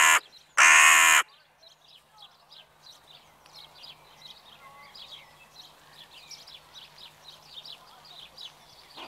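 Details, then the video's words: Crow calling on an evening: a cut-off harsh note, then one full rasping caw lasting about half a second, followed by a long stretch of faint, rapid high twittering from small birds. "Krähenabend / Crow evening"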